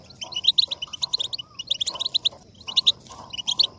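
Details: European goldfinch song, played to stimulate another goldfinch to sing: quick clusters of bright tinkling and twittering notes in short bursts, with brief pauses between phrases, over a faint background hiss.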